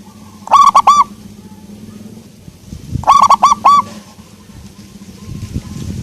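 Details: Local zebra dove (perkutut) cooing in two well-spaced phrases of four quick bubbling notes each, roughly two seconds apart, with low background hum.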